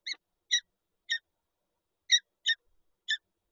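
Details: Peregrine falcon pair at their nest with an egg in Lublin, recorded 19 March 2022: six short, harsh, harmonic-rich calls in two loose groups of three, spaced about half a second apart, with silence between.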